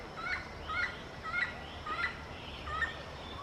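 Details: Yellow-fronted parrot communicating with its peers in a string of six harsh squawks with a ringing two-tone quality, spaced about half a second apart, with low background noise.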